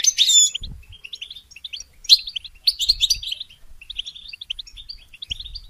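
A goldfinch sings a fast, liquid twittering of high tinkling notes and short trills in bursts, with a few soft low thumps beneath.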